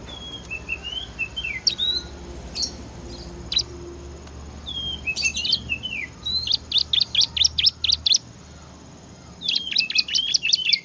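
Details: Ciblek (bar-winged prinia) in gacor ngebren song, opening with soft thin whistles and slurred notes, then breaking into tight bursts of rapid, high, repeated chips.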